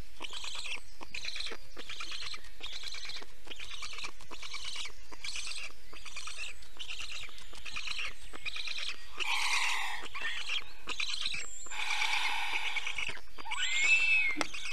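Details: Estonian black stork alarm at 5:48 am on 4 June 2021, likely at a bird of prey: a dry, rapid series of rasping clicks, about two or three a second, then louder harsh hissing bursts and a brief thin whistle.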